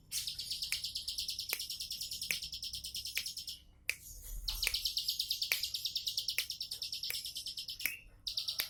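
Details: A bar-winged prinia sings in the easygoing 'tembakan' manner, pouring out fast, evenly pulsed high buzzy notes in two long strings, with a brief pause and occasional crisp clicks between.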